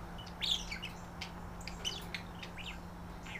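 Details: Two budgerigars, a pair that fell for each other, flirting and calling to each other: quick, scratchy chirps and warbles in overlapping bursts over a low steady hum.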